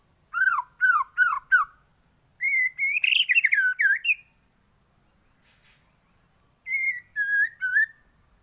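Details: Song of a white-rumped shama used as training material for other songbirds: three repeated downslurred whistles, then a jumbled run of warbled notes, a pause, and a closing series of falling whistles.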